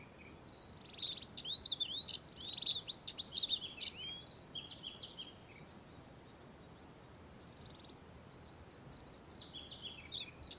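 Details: Early-morning song of a male Karoo scrub robin perched atop a bush: a rapid jumble of high, scratchy whistled notes and brief harsh accents, then a pause and a softer closing phrase, with steady background hiss.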